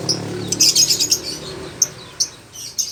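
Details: Lovebird beginning to sing in earnest: a brief dense burst of high, buzzy chatter, then a few isolated sharp chirps spaced about half a second apart over a low background hum.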